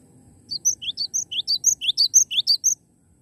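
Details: Energetic song of a live Cinereous tit: some thirteen clear, high-pitched notes delivered rapidly, roughly two pairs per half-second. A shrill top note alternates with a lower rising whistle, then the bird falls silent over a faint low rumble.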